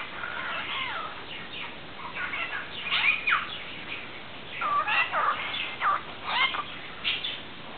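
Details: Pet parrot talking to a cat, which it greets when it sees it with Spanish words like "hola" and "donde esta mi niño chico": bursts of squawky, speech-like syllables with quick rising and falling sweeps.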